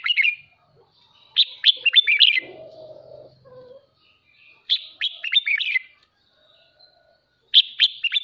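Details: Caged red-whiskered bulbul singing its morning song, used to stimulate and train birds' voices: bright whistled phrases of rapid sliding notes, delivered in bursts about every three seconds with a low hum between them.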